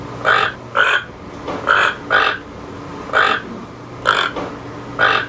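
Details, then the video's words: Fairly rapid toucan croaking, about nine short, rough notes roughly every half second to second, with a steady low hum in the background. "Toucan sound"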